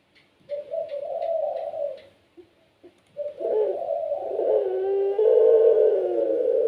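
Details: Puter pelung spotted dove, bred and kept as a pet, in gacor voice that draws other doves into song. A rolling hollow coo is followed by a longer, fuller, overlapping cooing stretch, with faint high ticks at the start.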